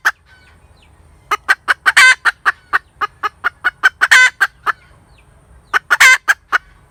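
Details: A hen cackles in a run of clipped clucks that build into three long, ringing, grating squawks, with clucking continuing between them.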